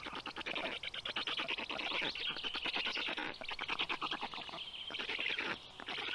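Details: At a black stork nest during a feeding of the storklets, mid-morning on 18 June 2022: dense, fast rasping pulses form a steady hissing chatter, with occasional short gaps.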